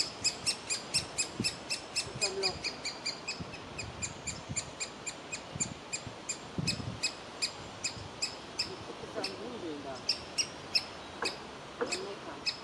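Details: Nestling woodpecker in a tree cavity calling to be fed, its parents urging it to leave the hole; long run of sharp high notes, about two per second, steady and insistent, with soft low knocks in the background.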